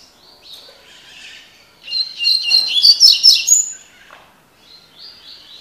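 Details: Tui tui (tocó) style song of a Double-collared seedeater, a bird said to be spirited: soft high notes, then a loud, dense burst of rapid chirping and whistled trills lasting nearly two seconds before quieter sliding notes return.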